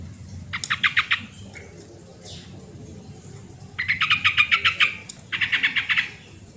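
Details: Yellow-vented bulbul used as a lure to get lazy birds singing: three phrases of rapid, bubbly, rattling notes, the middle one longest, with a soft low rumble behind.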